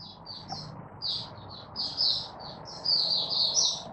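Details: Caged Malaysian Oriental white-eye, not yet in form, giving high buzzy twittered notes in short clusters, rather rough and strained, over steady low background noise.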